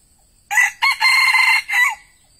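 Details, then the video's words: Red junglefowl kept as a decoy to attract wild junglefowl crows once, clearly and close: a brief first syllable, a quick second, a drawn-out harsh middle and a closing note that falls away, lasting about one and a half seconds. "AYAM PIKAT TEDUNG BERAKSI"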